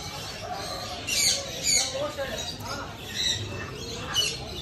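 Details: Pet parrot, said to be talking, giving a series of harsh, raspy squawks in short bursts about every half second, with a steady low background hum.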